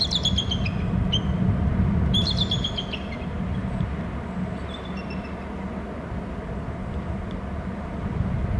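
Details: Wet-looking bald eagle calling at a nest territory camera on Hornby Island in mid-April afternoon; two bursts of high, piping, rapidly stuttered notes early on, then fainter chitters, under constant deep roaring background noise.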